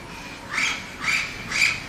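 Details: Three rasping squawks about half a second apart from an Orange-winged amazon, a common town parrot in Lecheria, Venezuela, over a hissing background.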